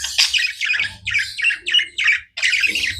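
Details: Several short, harsh, scratchy squawks from pet budgerigars, about six bursts in three seconds, each a buzzy chirp with a brief pause between.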